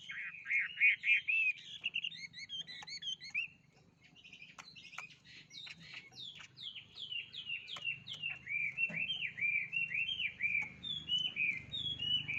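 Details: Songbird delivering quick, varied whistled phrases, a pause near four seconds, then a long series of repeated downslurred chirps, several per second, growing louder toward the end over a low background hum.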